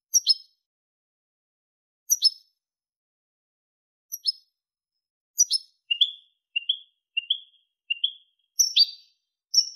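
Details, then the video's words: European goldfinch song, clean recording: sharp, high, clipped call notes repeated about every two seconds, then a run of short rising whistled notes and more sharp calls. "canto del jilguero limpio"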